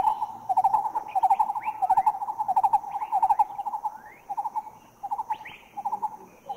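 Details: Green-eared Barbet from Thailand: low, hollow notes in quick clusters of three or four, repeated steadily; higher, thin upslurred whistles from other birds sound now and then in the background.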